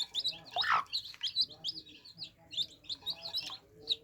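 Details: Baby chicks drinking water, a group peeping together in dense, high, short cheeps that overlap continuously, with soft tapping and knocking noises throughout.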